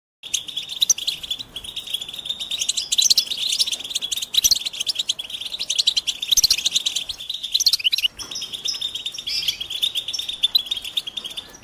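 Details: European goldfinch mating and readiness calls, used to stir silent males into song: dense, continuous high twittering and chirps, overlapping and fast, with no clear pauses.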